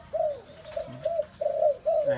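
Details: Spotted dove calls from a space full of these birds: four distinct mellow coos, each a short arching note, spaced roughly every half second, with a faint steady high whine and a low murmur underneath.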